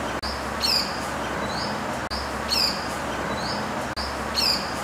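Pied falconet giving thin, high, shrill notes, a short rising whistle then a sharper squeal, repeating about every two seconds over a steady background hiss.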